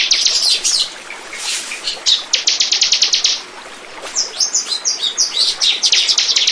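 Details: Bar-winged prinia lure song: bursts of rapid, high, ticking chips, then a short gap and a looser, scratchier stretch of mixed high notes.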